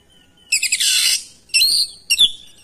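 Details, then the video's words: Oriental magpie-robin singing in response to another singing bird: a harsh, buzzy burst lasting about half a second, then two shorter bursts ending in bright whistled notes, with near-silence between phrases. "KACER LAIN LANGSUNG RESPON IKUT GACOR NGOTOT BONGKAR ISIAN"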